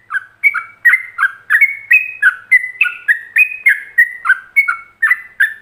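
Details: Rapid ropelan song of a yellow-vented bulbul, offered for other bulbuls to imitate: a steady chain of liquid whistled notes, about three each second, rising and falling between two pitch levels, clean and free of background noise.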